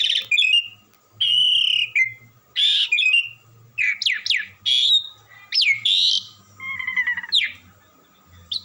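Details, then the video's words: Melodious, unceasing song of an Asian pied starling gacoran bird: loud whistles alternate with harsh grating bursts and sweeping upward notes, phrases coming about every half second, with a constant low hum in the background. "jalak Suren suara ya merdu gak mau berhenti bunyi"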